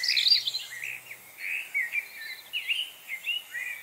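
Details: Chickadees calling in a lively group on November 25, 2020: short, high, rising and falling chips come in loose pulses about every half second, with a faint low murmur at the start.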